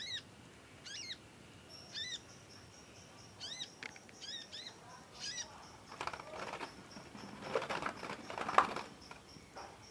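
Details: Juvenile conin practising its song, chirping long and singing vigorously, suited for song tutoring; several quick high falling chirps at the start, then rustling and handling noise take over the second half.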